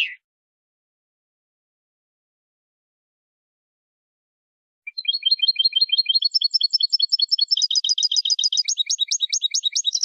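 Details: European goldfinch tutor song. A brief note at the start, about five seconds of silence, then high twittering that builds from thin repeated chirps into dense, fast, layered trills.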